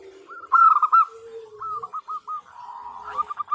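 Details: A local zebra dove female calls the male as a lure. A loud warbling trill is followed by a few separate clipped coos and a softer rolling phrase.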